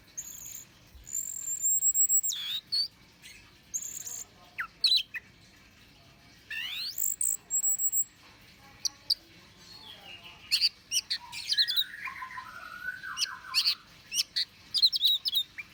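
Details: Orange-headed thrush song for luring birds: long thin high whistles, sweeping slurred notes and bursts of rapid twittering chips, alternating with quiet gaps.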